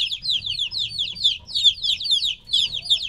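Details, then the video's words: Three-week-old chicks removed from their mother cry out in clusters of piercing downward-sweeping chirps, several birds overlapping in quick succession. "2 HOUR OF LITTLE CHICKENS CHIRPING NOISE"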